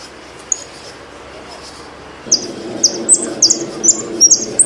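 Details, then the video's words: Saffron finch singing. After about two seconds of near silence, a run of bright, high, quick chirps and slurred notes starts irregularly, over a steady low hum. "JILGUERO ARGENTINO"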